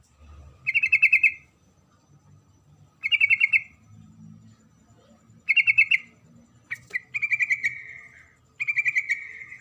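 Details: Calling female sooty-headed bulbul seeking the male, three short staccato chatter bursts followed by longer, drawn-out trilled phrases near the end.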